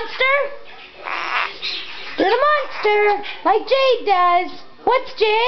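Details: Blue-fronted amazon kept as a pet, singing in a room: short harmonic phrases that swoop upward and dip, several bursts in quick succession, mixed with nearby human talk.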